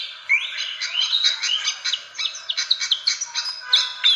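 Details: Fantail calls played as a bird-trapping lure: quick, sweet chirps and short rising whistles in close succession, fairly clear with a faint background hum.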